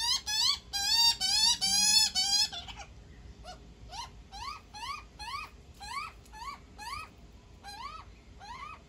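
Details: Baby magpie fed by its mother begins with a loud, rapid run of squealing calls, then continues with softer rising squeals about twice a second.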